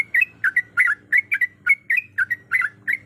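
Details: Female Sooty-headed bulbul calling the male, giving steady, bubbly two-part chirps roughly three times a second with slurred rising and falling inflections. A quiet low hum runs beneath.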